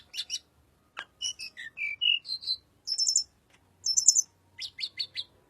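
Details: Song of a little pied flycatcher, used as a lure for white-rumped shama: quick high chirps and a sequence of varied whistled notes stepping up and down, with a high buzzy flourish and closing cluster of rapid notes.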